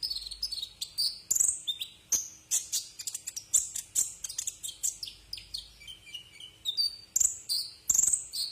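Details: Brown-throated sunbird, called kolibri ninja, in a tutor recording for cage birds: energetic, fast chatter of high twittering notes, slurred whistles and a descending series of short sweet notes near the middle, with loud sharp chips.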